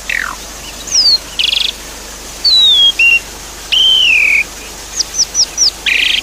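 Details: Javan pied starling singing, played with water sounds to coax a silent bird into song: falling whistles, buzzy bursts, a long drawn whistle, and short rapid upswept notes against continuous background hiss.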